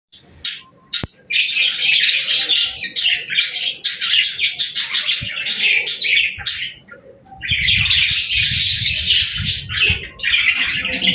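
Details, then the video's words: Pet parakeets playing, singing and talking: a dense, busy flock chatter of high warbling chirps and squawks, broken by a short quiet gap near one second and a brief lull before a loud burst late on. "Parakeets Playing, Singing & Talking | Relaxing Chirping Sounds"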